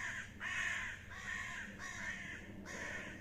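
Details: Common ravens fighting: harsh, hoarse croaking caws in quick succession, about four rough calls in three seconds, each a grating burst with ragged edges.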